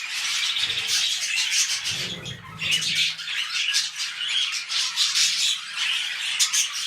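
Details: Mating pet budgies, beginning a new clutch, keep up scratchy high warbles and sharp chirps, with a burst of low rustling, possibly wing or cage movement, around the two-second mark.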